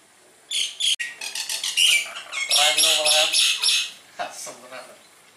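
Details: Javan myna, caught with a net and singing actively, pours out a dense harsh chatter of grating, squawking notes with a loud click near the start, fading into a few scratchy calls at the end.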